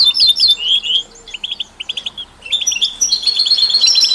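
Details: European goldfinch song from a mix with canaries and mules, for stimulating other songbirds: slurred whistles, a run of short clipped chirps, then a lively twittering trill to the end.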